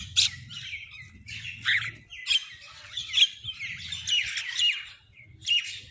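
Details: Crows fighting over food: harsh, broad squawking bursts come roughly once a second in an uneven run, with higher chirps between them and a low rumble underneath.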